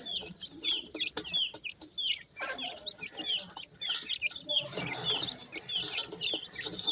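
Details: Newborn Sindhi partridge chicks in Pakistan give a steady stream of high, thin peeps. Each note slurs downward, and many calls overlap in an uneven rhythm.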